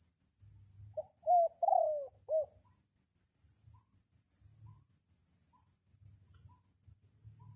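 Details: Red junglefowl crowing to attract wild birds in a rainy period; one crisp multi-part crow with a rising-falling drawn middle and a clipped end, over a low rumble and unbroken high insect trilling.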